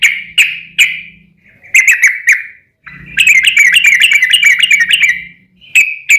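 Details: Yellow-vented bulbul giving a long, lively song as a lure for other bulbuls: spaced sharp chirps, then a sustained, rapid run of bright bubbling notes, over a faint low hum.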